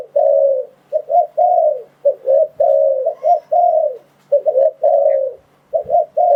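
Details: Spotted dove calling as a trapping lure for wild doves: a rhythmic series of low, hollow coos, double notes alternating with longer sustained notes ending in a slight downward slur, repeated through the stretch.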